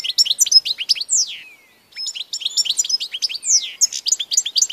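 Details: Continuous European goldfinch song, dated 16 March 2014: fast jangling twitters and downslurred whistles, interrupted by a short silence near the middle before the lively chatter resumes.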